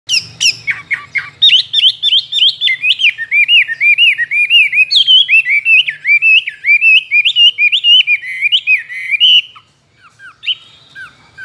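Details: Caged Chinese hwamei, a tame two-year-old bird trained for singing contests and mimicking many wild calls, delivers a loud, fast run of rich whistled notes, rising and falling phrases repeated in quick succession for about nine seconds, then a brief pause.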